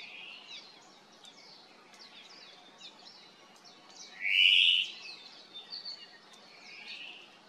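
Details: Hawaiian thrush (ʻōmaʻo) on the Kaulana Manu Nature Trail, Island of Hawaiʻi, calling to its cohorts: one loud slurred rising note stands out amid faint high chirps and twitters of other birds in a quiet forest.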